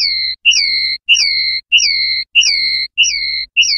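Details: Common linnet song, clean pardillo limpio style: a series of long, level, high whistles, each rising briefly at the start, repeated about every half second. A faint low electrical hum sits beneath.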